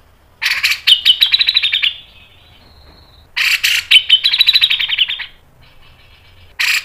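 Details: A Grey-cheeked Bulbul, recorded as a tutor and lure song, gives two long bursts of fast, chattering, high notes, each about one and a half seconds long, with a brief whistle between them.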